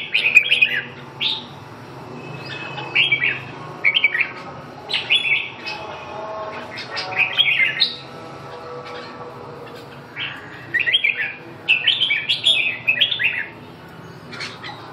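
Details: Red-whiskered bulbul song, a run of lively, slurred whistled phrases delivered in clusters with short pauses, busiest near the start and toward the end, over a faint low hum.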